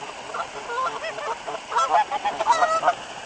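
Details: Geese at a waterfall on 26 February 2013, being fed bread on a cold day with dry grass, give a loose series of nasal honks, scattered and overlapping, over a steady rush of falling water.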